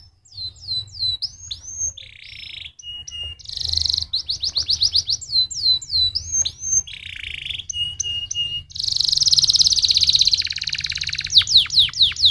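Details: Canary singing to stimulate other canaries, repeating a phrase of quick downswept whistles, buzzy bursts and level tones, then a long loud rolling trill followed by fast sweeping notes.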